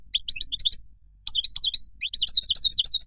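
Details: Moroccan goldfinch twittering rapidly, with clusters of high, liquid chirps and quick slurred notes in three close-packed phrases over a faint low hum.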